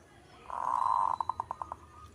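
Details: Perkutut, a local zebra dove, delivers one long steady coo that breaks into a quick series of six short, evenly spaced, clipped notes.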